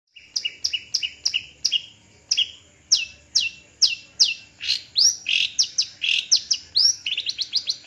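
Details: Long-tailed shrike kept on a perch, tagged as a Madura bird. It gives loud, sharp repeated notes, first doubled chips, then strong downslurred whistles and quick twangy notes accelerating near the end.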